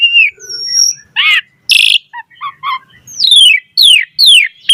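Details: Black-collared starling, a lure recording for training starlings to sing. Thin high whistles and a harsh burst open the phrase, followed by soft low notes and then four loud falling slurred whistles.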